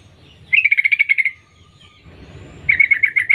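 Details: Female sooty-headed bulbul calling for males with a fast trill of about ten clipped notes, then silence and a second rapid chattering run near the end; low hum throughout.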